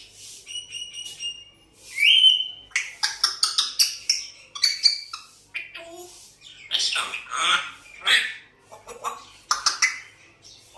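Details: African grey parrot trying to talk between whistles: a steady whistled tone, then a sharp rising whistle, followed by fast clicking chatter and harsh speech-like bursts repeated in quick succession.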